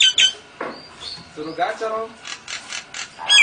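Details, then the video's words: Nias hill myna in a mimicry song copying lovebird and canary. It gives varied chattering notes, gurgling low warbles and short rattling bursts of high buzzy chips, uneven and jerky. "Kicau Jalak Nias Gacor Istimewa Variasi lovebird & Kenari AF NGEKEK"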